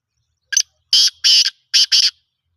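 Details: Harsh rasping phrase of a black francolin, known locally as kala teetar: a brief opening note, then two doubled, buzzy, grating notes in quick rhythm, loud and clean against a silent background.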